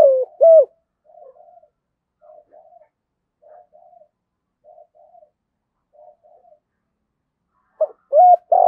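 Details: Spotted dove with a 'giọng thổ' voice, used as a lure for wild doves. The clip opens and closes with a loud, low coo phrase, and between them come regular soft double murmurs about once a second.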